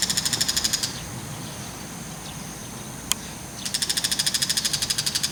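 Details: A bull-headed shrike calling boastfully with a mantis in its bill while looking around gives a harsh, rapid chatter of about ten sharp notes a second: a brief run, a pause with one click, then a longer burst.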